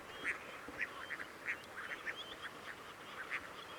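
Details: At the Coyle River estuary, Santa Cruz, Patagonia, Argentina, on 18 June, Crested ducks give loud, abrupt quacks in uneven bursts, with fainter notes between and faint high whistles behind.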